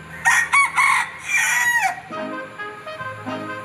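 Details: Backyard rooster, a Bielefelder and Golden Cuckoo Marans mix, gives one loud, harsh crow of several strained segments lasting almost two seconds, followed by quieter low clucking notes.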